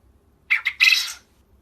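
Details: Japanese quail calling: two quick harsh notes followed by a longer raspy, buzzy note, all within under a second, against a quiet background.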